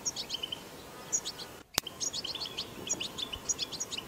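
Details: Wild European goldfinch recorded in the wild, singing the twittering batbata song style: rapid bursts of high, sharp chirps and tinkling notes in quick clusters, with a brief dropout and a click midway, over faint background hiss.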